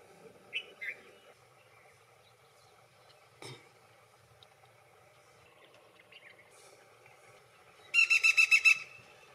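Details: Black-rumped flameback: two soft chirps early, a faint tap near the middle, then a loud burst of about seven rapid, harsh, evenly spaced notes in under a second, like a rattling laugh.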